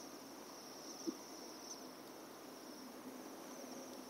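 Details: A flock of Bohemian waxwings (Bombycilla garrulus) in Bratislava on 7 December 2012 gives an unbroken thin, high, sibilant trilling call over a low background rumble, with one brief knock.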